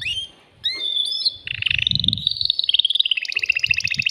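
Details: Caged male canary song meant to excite a female for breeding: whistled notes sliding up, then a long rolling trill shifting pitch, ending in rapid pulsed chirps, with faint low rumbling.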